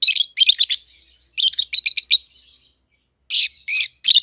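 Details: Shrill screeching chirps from a captive pair of peach-faced lovebirds, red-headed green opaline and red-faced dark green, aged 7-8 months, come in quick clusters, with a short silent gap before more harsh bursts.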